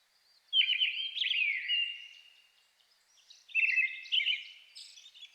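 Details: Brown-headed thrush singing in a forest at dusk in the Shin'etsu highlands in May, competing with a Japanese thrush singing nearby: two clear phrases of fluttering, whistled notes ending in a longer drawn tone, separated by a three-second pause.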